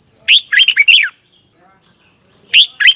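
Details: Red-whiskered bulbul singing its morning song in a double twisted voice, used as decoy song for training bulbuls; loud, bubbly warbled phrase of quick rising and falling notes, a pause, then a second phrase begins.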